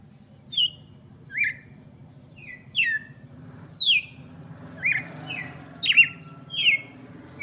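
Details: Red-cowled cardinal song for chicks: a run of varied whistled notes, high and falling, repeated at a brisk pace above a steady low rumble.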